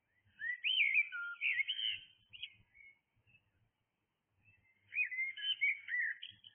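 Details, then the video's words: Dawn blackbird song with two warbled, whistling phrases separated by about two seconds of silence, each rich and varied, ending in softer twittering notes. "Blackbird singing"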